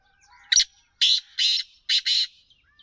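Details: Harsh rasping calls of a black francolin, one short note followed by two paired grating bursts, the pattern delivered crisply against a quiet background.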